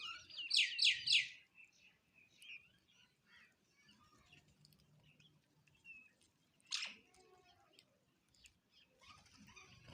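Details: Home sparrows chirping while eating food: a loud burst of three quick, bright, high chirps at the start, then scattered soft tweets and one sharp, sudden chirp near the end.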